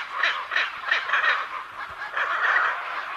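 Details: Harsh, nasal macaw calls repeated unevenly, several short rasping notes, a short lull, then a drawn-out hoarse squawk.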